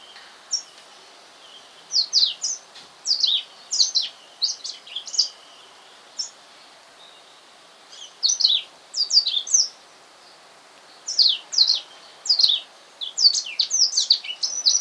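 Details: Black-throated canary, a newly bought male caged at home, singing on his first afternoon there: bursts of quick high twittering and slurred whistled notes, broken by short pauses, over a faint steady background hiss.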